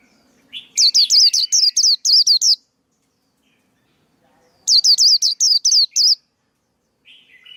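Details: Male white-eye song used to train young birds and as a trapping lure: two bursts of about eight rapid, high, sweeping whistled notes, each falling then rising, with a short fainter buzzy note near the end.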